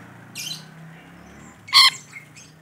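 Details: Rainbow lorikeet, described as an active, chattering bird: two harsh, broadband screeching squawks about 1.4 seconds apart, the second loud and brief, followed by a faint short note, over a low steady background hum.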